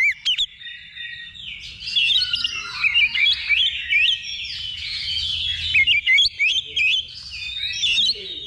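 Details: Oriental magpie-robin singing in a practice contest simulation: a long run of quick, twisting whistles and trills, with several bright, clipped notes repeated near the end and other birds singing alongside.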